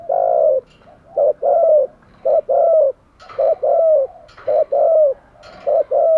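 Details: Spotted dove kept as a decoy for luring wild doves, cooing steadily: about six mellow phrases, each a clipped doubled note followed by a longer falling coo, delivered roughly once a second.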